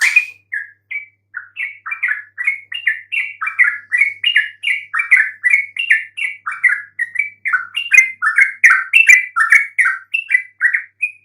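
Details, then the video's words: Song of a yellow-vented bulbul played to make even mute bulbuls respond: an unbroken eleven-second cascade of gurgling, liquid chirps, quick rising and falling notes at a brisk, slightly uneven pace. "coba sekali PANCING trucuk BISU MANAPUN pasti RESPON NYAUT dengan kicauan ini"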